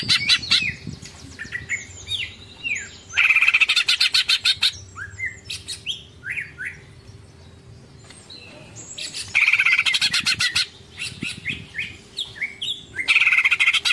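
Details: Greater green leafbird, kept songbird, singing a long "ngekek" chattering song: bursts of rapid harsh repeated notes alternating with clear whistled slurs and rising sweeps; a steady low hum runs underneath.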